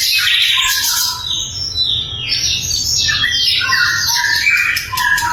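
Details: Sikatan londo flycatcher, played to train other songbirds, sings a bright, varied phrase of high twitters and falling whistles, with a few lower clear whistled notes beneath.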